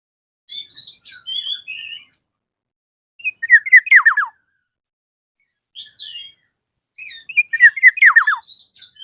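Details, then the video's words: Black-naped oriole challenging a rival: three bursts of chattering, sharply descending slurred notes, separated by softer warbled whistles, repeated about every four seconds. "KEPODANG EMAS GACOR MEMANGGIL LAWAN, BURUNG MALAS BUNYI AUTO RESPON NYAUT BUNYI"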